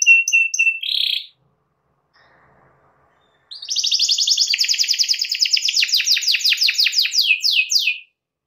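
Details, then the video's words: Canary singing vigorously to provoke a rival into singing: a short burst of bright chirps, then after a pause a long run of rapid, evenly repeated high buzzy trills that descend in pitch toward the end. "KENARI GACOR MEMANCING LAWAN AGAR IKUT GACOR"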